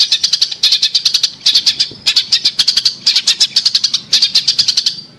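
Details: Long-tailed shrike song used as a lure to prompt a shrike that has stopped singing; rapid, sharp high chips repeated in quick bursts of about a dozen, with brief pauses between bursts.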